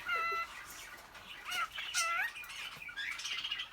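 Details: Courting male cockatiel in an indoor aviary cage, directing his song at a female: warbled whistles with a rich tone, dipping and rising, mixed with wing rustle and chirpy chatter.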